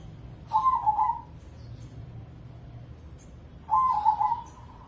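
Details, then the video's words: Zebra dove of crossing breed, a contest bird, singing two rolling, purring coo phrases about three seconds apart, each slightly falling in pitch, over a faint low hum. "Pancingan Pekutut Crossing Gacor Dorr"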